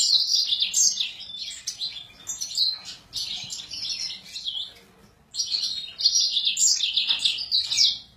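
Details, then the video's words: Worked-up Sura singing in quick, bright bursts of twittering and trilled notes, falling silent for a moment before a second energetic stretch of warbling. "السورا المزنبيق هيجان"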